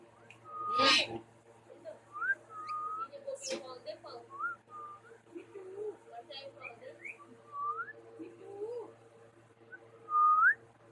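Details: Two pet parrots kept indoors make soft, quiet whistled notes, mostly short rising upswept whistles scattered across the recording with gaps between them, plus a few sharp loud clicks and low murmuring sounds in a small room.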